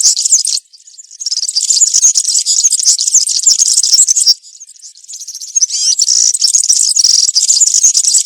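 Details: European serin in country-style (campero) song, recorded in woodland: a high, dense, buzzy jingle of rapid twittering notes, with a brief break near the start and a quieter dip around four to five seconds before the fast trilling resumes.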